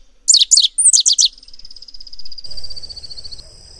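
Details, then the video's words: Rusty sparrow delivering a short burst of high, doubled chip notes, five groups in about one second, followed by a long steady high-pitched insect-like drone and a low rumbling background. "O canto do Tico Tico avermelhado"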